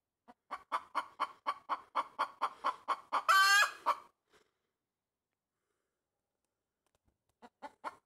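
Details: Pet hen making loud noises while standing on a tree branch: a run of about eleven sharp, evenly spaced clucks, then a harsh, drawn-out squawk, a pause of silence, and a few clucks starting again.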